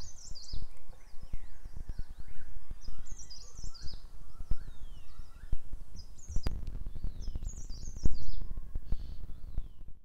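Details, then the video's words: Black drongo greeting the sunrise over wilderness rhododendron forest; bursts of high, sharp whistled notes and downward-sweeping metallic calls in quick series, with pauses, above constant low ticking noise. "Black Drongo enjoys the sunrise over the wilderness protected Rhododendron forest"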